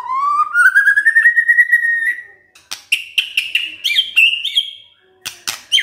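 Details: Kretekan by a white-rumped shama, a style used to raise emotion: a long smoothly rising whistle lasting two seconds, then choppy higher notes mixed with sharp clicks.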